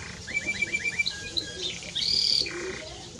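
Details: Timbrado Español canary song: a row of short evenly spaced rising notes, a few scattered chirps, then a loud bright burst of high trilling.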